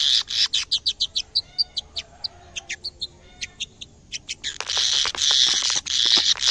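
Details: In a cage, seeing a camera for the first time, a canary sings a string of sharp, evenly spaced chipping notes that slow and thin out, then bursts into a loud, continuous buzzing trill.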